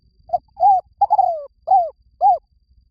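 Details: Spotted dove lure call in a repeated phrase: a quick opening coo, an arched hoot, a lengthy downslurred croo, then two bowed coos to close. The notes are deep and mellow, against silence.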